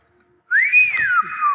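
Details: Common hill myna mimicking speech with a loud whistle: the tone sweeps upward, arches over a rounded peak, slides lower and holds steady, with a brief click in the middle and soft low murmurs behind.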